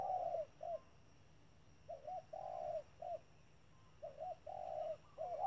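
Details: Spotted dove used as a decoy bird at a trap, calling in the 'thúc' style. Soft, low cooing phrases come in clusters of two to three notes, each group separated by pauses of about a second, over quiet background hum.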